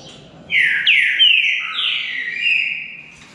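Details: Green-winged saltator singing in a contest between two birds, a rich whistled phrase of overlapping downslurred notes that hold and drift lower, clear and loud against a quiet background.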